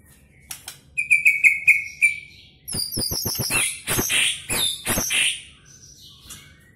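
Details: Medan white-rumped shama with a speedy contest song holding cililin, canary and lovebird imitations: a row of five clear whistled notes, followed by a loud run of very high, rapid buzzy chattering phrases.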